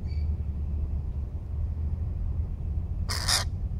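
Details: A baby lorikeet found on the ground by a tree trunk, apparently out of its nest, gives one short, harsh screech near the end, over steady low rumbling background noise.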